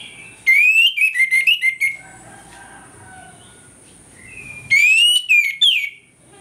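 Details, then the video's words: Morning 'ngeplong' song from an orange-headed thrush, intended as a lure to make rivals aggressive: two loud phrases of quick slurred whistles, rising then tumbling, about four seconds apart, with soft quiet notes between. "ANIS MERAH NGEPLONG PAGI, PANCINGAN ANIS MERAH AGAR CEPAT EMOSI"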